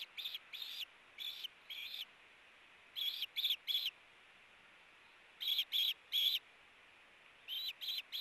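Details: Nest-camera sound of two ospreys in a tug-of-war over a fish, 8-4-18: loud, high, slightly harsh whistled notes grouped in twos and threes, each group separated by about a second of quiet.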